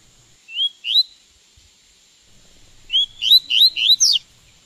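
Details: Double-collared seedeater (coleiro) in song training to learn its song: two upslurred whistled notes, a pause, then a quick run of four rising slurred whistles, over a faint steady high-pitched tone.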